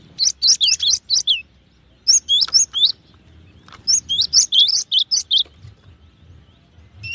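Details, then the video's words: High, sharp chirping song of a cinereous tit, in three groups of quickly repeated notes with short silences between them. "SUARA BURUNG GELATIK BATU"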